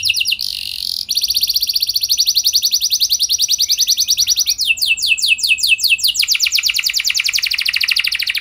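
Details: A canary sings an almost unbroken stream of rapid, high, repeated trill notes, changing pace and note shape midway. This gacor song is meant as a pancingan to set other canaries singing.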